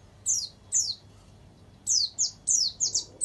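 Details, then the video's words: Warbling white-eye training song interspersed with canary-style phrases, played to tutor or stimulate caged birds: high thin downslurred whistled notes in short bursts, a pair then a rapid cluster of five, over faint low hum. "Suara Burung Pleci Gacor Dor || Terapi Masteran Pleci Isian Tembakan Kenari"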